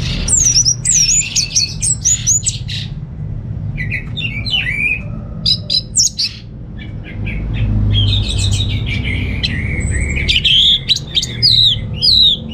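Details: Captive orange-headed thrush in Singaraja, North Bali, in sustained varied song: quick squeaky twitters, rising and falling whistles and dense chattering runs, growing fuller toward the end, with a continuous low hum beneath.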